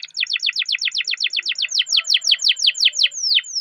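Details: Canary song for prompting other canaries: steady series of sharp descending chirps, about five per second, slowing and broadening toward the end into a final downward sweep.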